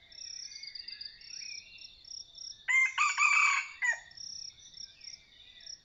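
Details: Red junglefowl of the Sai Wian strain used in decoy hunting of wild junglefowl. One loud harsh crow of about 1.2 seconds, broken into pulsed segments, rises above a steady chorus of shrill pulsing insects and thin whistled bird calls.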